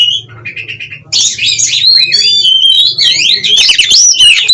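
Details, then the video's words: Oriental magpie-robin, kept for breeding in Cirebon, Indonesia, starting with soft repeated mid-pitched notes, then bursting into loud, rich, twisting whistled song with fast trills and high slurred phrases over a faint hum. "Burung Kacer Gacor Konslet Ngobra Bukor Stabilkan Birahi dan Emosi"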